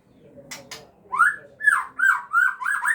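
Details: Chicks of a captive-bred Aceh white-rumped shama begging while a parent feeds them: a run of short, harsh, rising squawks, roughly one every half second, getting louder, after a few faint clicks.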